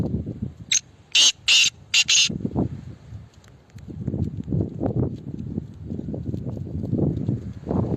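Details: Black francolin (kala teetar), called a speeder, giving a loud, harsh, grating phrase of four clipped rasping bursts within about a second and a half. Low rumbling and knocking background noise follows.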